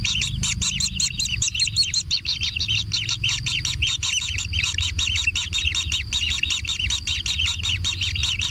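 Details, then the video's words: Kingfisher young being fed at a natural nest, producing a long unbroken stream of fast, rasping high-pitched begging notes, with low rumbling noise throughout. "Anak Tengkek Diberi Makanan Semakin ExTrim - Natural Kingfisher Bird Nest"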